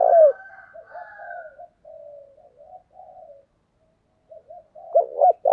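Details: Decoy spotted dove used to draw in wild doves gives one loud, deep coo phrase at the start and another near the end. Quieter, wavering cooing runs between them.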